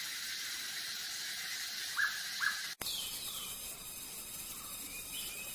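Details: One double whistle from a hooded pitta at Bogor, two short clear notes half a second apart, then a sharp click and continued insect hiss.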